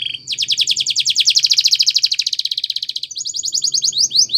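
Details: Spanish Timbrado canary training song, a long fast rolling run of repeated downward notes lasting nearly three seconds, then a higher, quicker rattling phrase.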